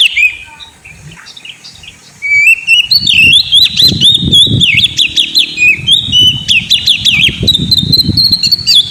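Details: White-rumped shama kept caged and reluctant to sing, starting quietly, then pouring out rapid varied whistles and harsh chattering notes in a long continuous stream, over repeated low knocking sounds.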